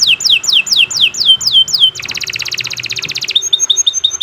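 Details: Kenari Nusantara canary, a caged bird, in long continuous song meant for training young birds: a run of falling whistled sweeps, then a fast buzzy trill, then short repeated chips, clean and loud.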